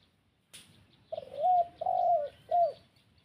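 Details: Spotted dove calling as a lure for wild doves. After a brief click, it gives three soft, hollow coos in quick succession. The second coo is drawn out and slightly falling.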